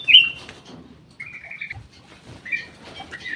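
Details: Aviary-kept black-crested bulbul (cucak emas, kutilang emas) opens with a loud sharp whistled note, then gives a wavering warbled phrase and scattered chirps. Faint fluttering and rustling behind.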